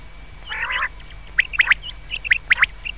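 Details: Common quail calling at night: a short harsh, nasal burst, then sharp, clipped high notes in quick pairs and triplets, with a faint steady high tone running underneath.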